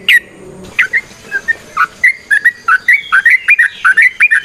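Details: Straw-headed bulbul, a kept songbird, singing a lively run of rich bubbling whistles that speeds into a rapid, regular sequence of short notes.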